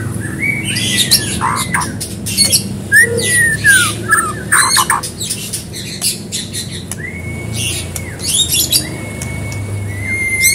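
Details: White-rumped shama song used to prompt another bird to sing: long clear whistles held near one pitch alternating with rapid buzzy and rattling bursts and sharp chips, varied phrases throughout, steady background hum.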